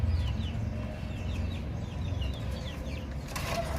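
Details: Chicks chirping in a steady stream of thin, high peeps that slide downward, several per second from a group of chicks, over low rumbling background noise.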